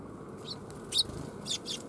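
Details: Several brief, high, clipped chirps, spaced about half a second apart, from sparrows coming to be fed at a Tenmangu shrine on 1 January 2021, over a low steady hum.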